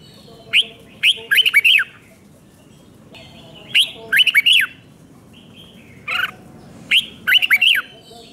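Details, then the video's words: Red-whiskered bulbul song of the doubled two and doubled three, five-syllable style, played so young birds copy it. Three bursts of quick, bright, bending whistled notes, each a rapid cluster of four to five syllables, separated by short pauses. "เสียงนกกรงหัวจุกเบิ้ล2 เบิ้ล3 เพลง 5 พยางค์"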